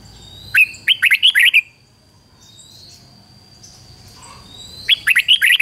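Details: Red-whiskered bulbul singing as a lure for wild birds: a quick run of five or six lilting notes, a pause with a thin drawn-out whistle in the background, then another bright burst.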